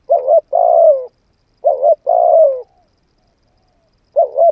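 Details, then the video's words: Spotted dove cooing to stimulate a decoy bird: clean, low hooting phrases, each a short double note followed by a longer drawn-out coo, repeated about every two seconds with silence between. "tiếng chim cu gáy"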